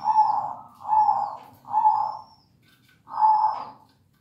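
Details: Local zebra dove singing energetically and steadily: four rolling, trilled coo phrases near one pitch, each about half a second to a second long, with short gaps and a faint high thin whistle in the background.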